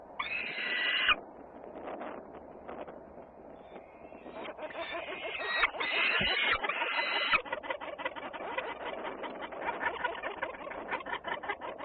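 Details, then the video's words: Peregrine falcons, Włocławec, Poland, Sunday afternoon of 6 June 2010: a rasping scream opens, then quieter scratchy notes, then several more grating screams, and a long spell of rapid clicking chatter to the end. "Slechtvalken Polen Włocławec. Sokól Wędrowny Polska Włocławec."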